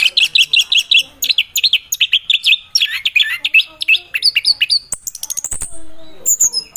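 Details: Melodious song of an orange-headed thrush, a forest bird of Southeast Asia: fast runs of varied whistled and warbled notes, then a burst of high, sharp, chattering notes near the end. Recorded loud and close.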